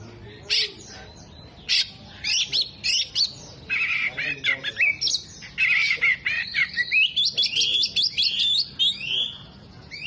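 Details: Oriental magpie-robin singing hard with tail fanned, imitating hummingbird, jenggot and lovebird calls: scattered piercing chips early, then a busy chatter of buzzy, squeaky and whistled phrases building toward the end.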